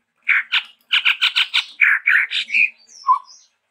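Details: Chestnut-rumped babbler from Sumatra, where it is endemic, with a varied song of rapid harsh chattering notes in a series, ending in a few thin high whistles and a low short note.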